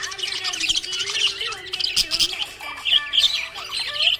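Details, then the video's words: Happy budgerigar chirping: dense, scratchy high chatter with quick twittering notes and short squawks, over steady tonal background music. "Happy budgie chirping sound"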